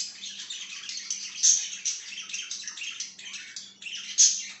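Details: Continuous high, raspy budgie chatter indoors, warbling without pause, with two sharp piercing squeaks standing out and a low electrical hum in the background.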